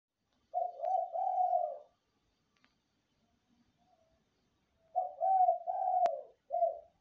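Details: Zebra dove calling actively through the night: two low, mellow cooing phrases, each a run of three or four rolling notes with the last drawn out, separated by a four-second pause; a sharp click sounds during the second phrase.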